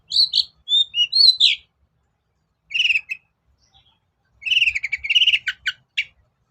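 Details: Lure recording of a long-tailed shrike, played to coax a quiet bird into answering: a few clear whistled notes, then a pause and a harsh chattering phrase, then a longer busy run of scratchy, varied notes.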